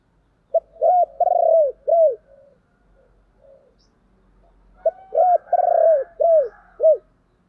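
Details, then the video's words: Spotted dove kept as a decoy bird calls to lure wild doves: two clear phrases of low, hollow coos, each a quick run of four or five rounded notes with a drawn-out middle coo, separated by a pause. "Chim Cu Mồi Thúc và gáy gọi"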